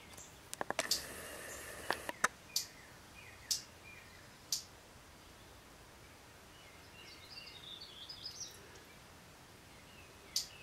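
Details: Two male hummingbirds jousting over a feeder give sharp, high chips and clicks, bunched early and scattered singly later, with a brief thin twittering run midway over a quiet outdoor background.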